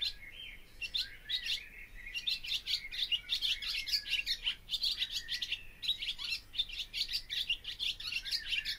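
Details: Barn swallow song: a long run of rapid twittering chirps and buzzy high notes, with brief sliding whistles near the start, almost unbroken throughout, over a faint low background hum.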